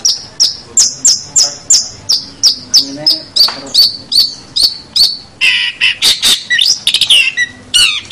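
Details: Long-tailed shrike song recorded as training material for other birds: a regular series of sharp, ringing high notes, then harsh scratchy chatter and quick mixed notes toward the end.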